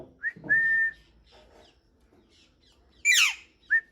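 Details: Parrot gives a long, level whistle, then a burst of noisy chatter and a short falling whistle, with faint low background sounds indoors.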